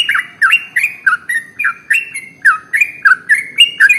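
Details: Trucukan, the sooty-headed bulbul, in very long continuous song meant to prompt other birds to sing: loud, rapid chopped notes that drop and rise, roughly three each second, over a quiet background.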